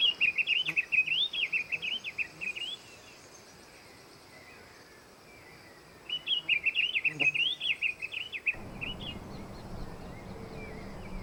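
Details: Fawn-breasted tanager in the wild: two bursts of rapid, high, warbled twittering notes, the first lasting under three seconds and the second starting around six seconds, separated by a quiet gap, with low background noise rising near the end.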